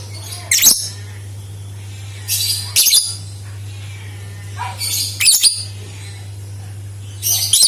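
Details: Lovebird giving rasping, high-pitched chatter bursts, irregularly spaced about every two seconds, played as a lure to draw other lovebirds into song; a continuous low hum sits underneath.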